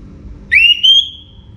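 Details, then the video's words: Orange-headed thrush singing before morning: one loud whistled phrase that sweeps up sharply, then holds a bright, slightly rising note that fades out, over a faint low hum. "ANIS MERAH Gacor Bunyi Menjelang Pagi"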